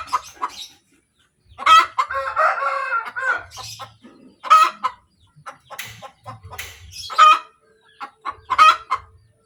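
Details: After laying an egg, a hen gives a long, busy cackle: repeated harsh squawks mixed with a drawn-out raspy stretch and scattered clucks, with other fowl noise faintly around.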